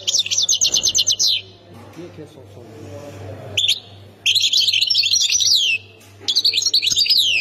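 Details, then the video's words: Goldfinch of Khemis Miliana, Ain Defla province: rapid high trilled phrases separated by short gaps, with faint low sounds during one pause and a steady hum below the bright, buzzy twittering. "مقنين سكتور خميس مليانة ولاية عين الدفلى"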